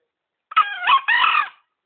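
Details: Tame green junglefowl, caught by luring in Gunungkidul and kept for three months, gives a single harsh two-part crow: a rough rising first phrase, a brief break, then a longer buzzy second phrase fading out, against near silence.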